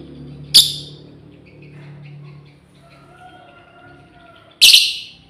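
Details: Female lovebird calling its companions: a shrill rasping squawk, a four-second gap with faint background hum, then a second, longer harsh screech.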